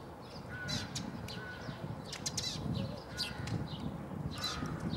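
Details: Eurasian tree sparrow at Bundek, Zagreb, Croatia, on 9 March 2015: sharp chirps and tweets at intervals, mixed with drawn-out harmonic calls of other birds and a constant low rumble.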